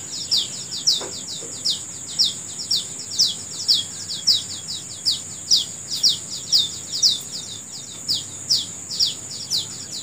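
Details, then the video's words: A bird chirps steadily in the morning, each short note falling sharply in pitch, about two per second for ten seconds, with a shrill insect drone throughout. "Suara Burung Di Pagi Hari"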